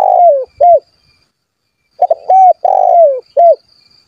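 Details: Spotted dove in full voice, calling rivals so they answer and wild doves come near. A long falling coo and a short coo, then a pause. A stuttered start follows, with another long falling coo and a short coo, in an otherwise quiet background.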